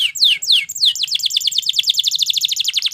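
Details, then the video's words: Belgian canary singing to train other canaries: three slow, sweeping downslurred whistles, then a fast, even trill of short notes repeated about three times per second to the end. "Belgie Canary Seduces All Canaries To Sing / Canary Singing For Training"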